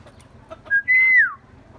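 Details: Common myna, a species said to copy human sounds, giving a short whistled note and then a long, clear whistle that holds level and slides downward at the end, over a faint background hum.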